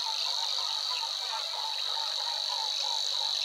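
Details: Savi's Warbler in marsh near the Weerribben at Wetering West, Overijssel, 6–7 May 2022, delivers a steady, fast, high buzzing reel with no breaks, over lower, softly repeated chattering notes in the background.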